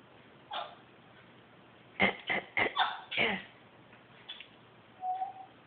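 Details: Pet male African grey parrot coughing and clearing his throat: one faint rasp, then after a pause a tight cluster of five harsh, breathy bursts within about a second and a half, followed by a few softer sounds.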